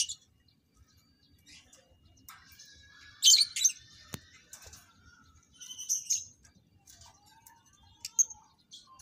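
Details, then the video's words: Captive lovebirds being matched as a breeding pair make scattered shrill chirps and short screechy bursts, with a brief loud squawk cluster early on, over a faint low hum. "TERNAK LOVEBIRD -Cara Menjodohkan Lovebird"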